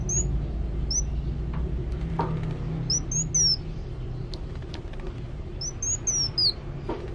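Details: Lively singing from a Van Hasselt's sunbird: short, very high whistles, a few rising and then falling, in scattered phrases separated by pauses, with constant low-pitched background rumble and occasional clicks.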